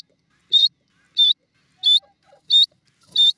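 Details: Sindhi dakhni teetar, a francolin, calling: five loud, harsh, clipped notes, high-pitched and evenly spaced about two-thirds of a second apart, over an otherwise quiet background with only faint low sounds between them.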